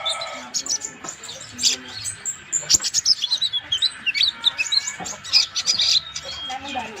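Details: Purple-throated sunbird, called konin, singing actively as a master recording for bird training; fast, high-pitched twittering with squeaky chirps and short trills in quick bursts, several notes each second, with a steady faint hum in the background.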